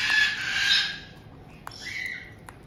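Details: A white-bellied caique household in Tokachi, Hokkaido, on 2023/06/18, with a resident pair and a newly arrived youngster just over two months old. A coarse, hissing screech lasts nearly a second, then a faint, thin whistled note.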